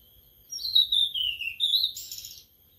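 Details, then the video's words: Sulingan laut, a newly kept bird singing after three days in care. One high whistled phrase wavers and falls gently, then ends in a harsh, buzzy, higher trill. The background is quiet. "Baru Dirawat 3 Hari Sudah Mau Ngeplong🥰🥰🥰 Burung Sulingan Laut/Tledekan Laut"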